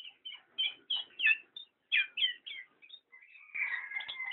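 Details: Black-naped oriole calling with bright, sharp downslurred chirps in small clusters, ending in a louder, more continuous warbling phrase.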